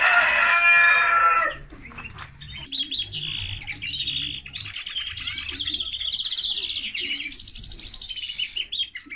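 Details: A male linnet × canary hybrid (mule) sings a long, continuous twittering song of quick trills and bright whistled phrases, after a harsh, loud burst at the start.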